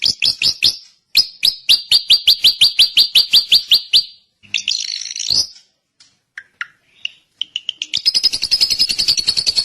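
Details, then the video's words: Drongo singing a rapid series of harsh, repeated chip notes. A gap follows, then a scratchy burst, a few scattered soft whistles, and a closing quick buzzy trill. "kicau burung srigunting"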